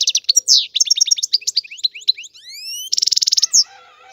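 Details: European goldfinch song: rapid tinkling, twittering notes, a run of rising slurred whistles, then a fast buzzy trill and further twitters, loud and clean with no other sounds.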